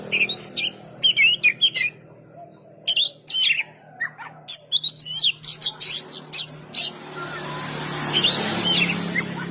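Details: Oriental magpie-robin giving bursts of crisp chirps and twisting whistled notes in clusters with pauses, fading into a rising hiss of background noise near the end.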